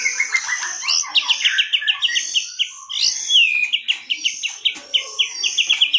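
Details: Lure recording of white-rumped shama, 2022: a steady run of quick repeated descending whistled notes, about five per second, broken by a sweeping high whistle midway.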